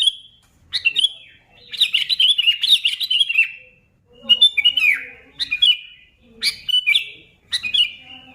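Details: Lively sooty-headed bulbul song meant to spark other bulbuls into singing: short twittering, slurred phrases repeated roughly every second, each a rapid jumble of bright notes.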